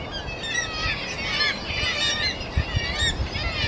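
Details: Black-legged kittiwake chicks in an Arctic colony in spring–summer give overlapping nasal, wavering begging cries for food from parents, who share hunting and rearing, amid the constant colony din with a low rumble beneath.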